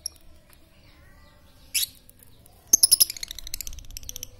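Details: Talkative lovebird used as a lure to prompt silent lovebirds into song: a short buzzy squeal, then a rapid run of sharp, high chirps that trails off.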